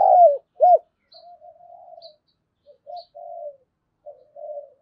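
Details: Spotted dove used as a lure, 'đồng pha' voice style, urging fighting: two loud arched coo notes open, followed by soft, low murmuring coos and faint high ticks.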